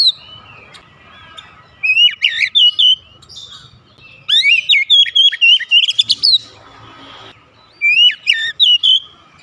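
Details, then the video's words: Oriental magpie-robin (kacer) therapy song to get a lazy bird singing: three bursts of bright, warbled whistles mixed with quick clicking notes, separated by pauses, over a steady faint hum. "terapi Kacer malas bunyi sudah pasti langsung gacor"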